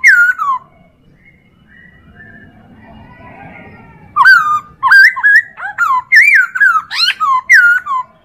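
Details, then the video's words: Chinese hwamei song as a tutor recording for training other birds: one downslurred whistle, then several seconds of faint low background sound, then a fast burst of loud varied whistled phrases. "MASTERAN POKSAY HONGKONG"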